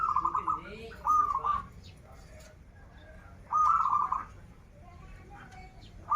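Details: Local zebra dove from Banten singing: a rolling, trilled coo phrase near the same pitch, repeated about every two and a half seconds, with soft low rumbling noise and faint other bird notes behind.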